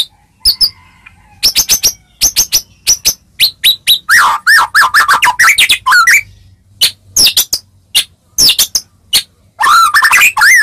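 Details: White-rumped shama, melodious song meant to make other shamas answer at once; long sequence of quick sharp clicks and whistled slurs, with rich rolling warbled notes in the middle and at the end.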